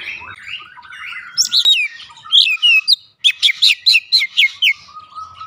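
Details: Kacer (Oriental magpie-robin) singing as a lure to trigger singing: soft warbled phrases, then loud varied whistles, and a rapid string of about seven evenly repeated bright notes.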